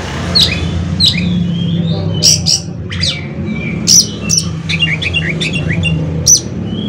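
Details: Oriental magpie-robin (kacer) song, played to make other magpie-robins sing: high sliding whistles and sharp notes, then a quick run of falling chirps, over a loud low hum.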